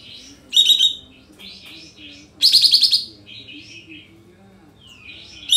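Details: Sooty-headed bulbul song played as a lure to make birds sing along: high chattering bursts alternate with softer warbled phrases, two loud rattling outbursts about two seconds apart, over a faint low hum.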